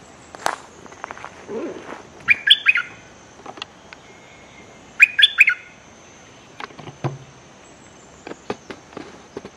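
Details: Threatening decoy bulbul used to draw in wild birds, 24/06/2023: two separate bursts of harsh, chattering chirps several seconds apart, between scattered clicks and knocks.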